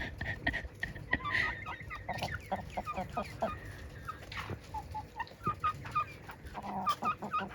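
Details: Chickens in a backyard flock with maturing young roosters cluck and give short, squeaky notes in uneven bursts, sometimes a couple per second, over a low rumble of farmyard background noise.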